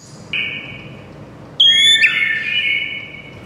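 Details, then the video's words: White-rumped shama giving long, drawn-out pure whistles, one steady tone and then a louder high whistle sliding into a sustained lower note, in a quiet setting. "JADIKAN MURAI BATU NYAUT DALAM HITUNGAN DETIK SAJA"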